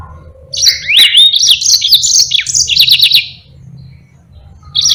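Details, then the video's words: Song of a yellow-fronted canary, recorded as a model for training other birds. A continuous high warble with sliding whistles and quick trilled notes runs for over three seconds, then a pause before another phrase begins, over a low hum. "Burung Mozambique GACOR NGEROL PANJANG"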